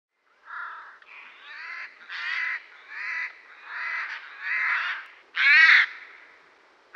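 A Eurasian jay gives a run of about eight harsh, rasping screeches, each under half a second, coming in quick succession with no other sounds.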